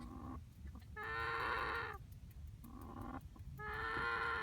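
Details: Young cockerel making a strange noise even after dark: two drawn-out, nasal, harmonic calls of about a second each, each led by shorter, lower notes, over steady low background noise.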